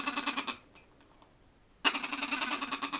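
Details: A captive green-winged macaw named Pepper laughs in the background at a breeder's aviary, giving a harsh, rapidly pulsed laugh in two bursts, a short one and then a longer one after a brief pause.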